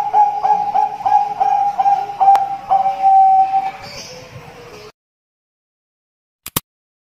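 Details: Zebra dove (perkutut) with an odd, cough-like voice: a run of quick pulsed mid-pitched coo notes for about three seconds, then a longer drawn tone, fading into silence broken by two sharp clicks near the end.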